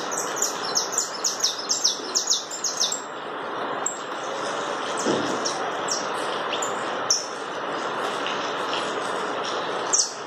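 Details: Chapinha carritilha song of a saffron finch (canário da terra): an opening run of bright, high, downslurred notes repeated rapidly for about three seconds, then fainter scattered notes over continuous background noise.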